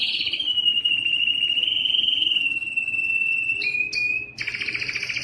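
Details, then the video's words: Canary of the Belgian breed in its loud courtship song for females: a long sustained whistled note held several seconds, brief high chips, then a dense rattling trill. "O canto mais forte do canário belga que atrai as fêmeas para a reprodução"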